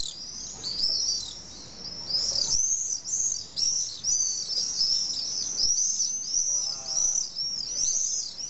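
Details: Shrill screaming of common swifts at a colony of some twenty pairs nesting in wall drainage holes on a hillside in Nice, France: dense, overlapping high arched screams running almost continuously, several birds calling at once.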